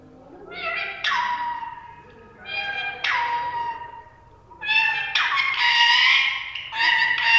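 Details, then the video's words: Female ring-necked parakeet vocalizing in a series of harsh, ringing calls that slide downward into steady tones, ending in a burst of rapid, raspy, overlapping notes. "Parrot making beautiful voices"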